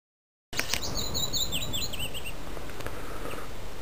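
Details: A male common rosefinch singing beside a road at Öland's northern point, Sweden, on 19 May 2006, gives one short phrase of clear, slurred whistles, rising and falling and lasting under two seconds, over a steady rush of wind.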